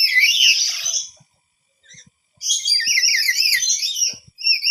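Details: Parrot, startled by surrounding sounds, answers loudly while searching for their source: a dense run of shrill, warbling chirps, a short pause with a faint note, then another long burst of rapid high chattering.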